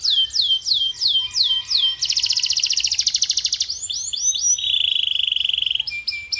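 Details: Canary song in varied phrases: a series of descending swept whistles, then a rapid buzzy trill, quick chirps, and a sustained rolling note before short closing whistles.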